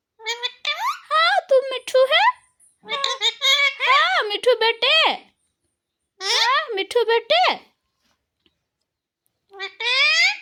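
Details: A pet Alexandrine parakeet talks in a high, squeaky, nasal voice, repeating short human-like words such as "mummy" and "papa" in three bursts separated by brief silences, in an otherwise quiet room.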